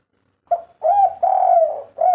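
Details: Spotted dove singing in the three-note 'kuk 3' fighter style: low, hollow coos, a short note and then two longer drawn-out ones, ending on another short coo. The background is quiet.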